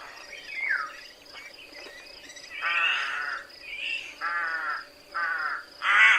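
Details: Rook giving harsh, hoarse caws with rich harmonics: a faint rising note early on, then four loud raucous calls spaced about a second apart, the last the loudest, over a steady high background hiss.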